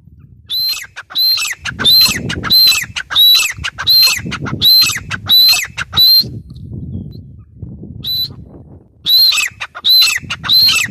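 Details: Grey francolin (teetar) calling in a loud series of harsh, high, shrill notes, roughly one and a half per second, breaking off for about two seconds midway before resuming; faint low rumble underneath.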